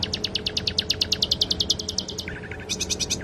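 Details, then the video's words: Rapid even trill of high notes from a canary copying the sikatan londo flycatcher, dropping to a lower stuttering phrase, then a buzzy high burst; a master track for training songbirds. "KENARI isian SIKATAN LONDO"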